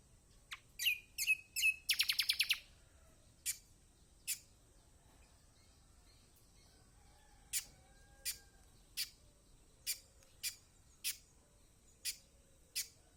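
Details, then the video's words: Kecial kombok (white-eye) song used as a lure to make silent birds sing: sharp high chirps, then a rapid buzzy trill near the two-second mark, followed by spaced single high notes over a steady hiss. "Masteran Kecial kombok/kecial kombo || Pancingan buat kecial kombok malas bunyi auto gacor!!"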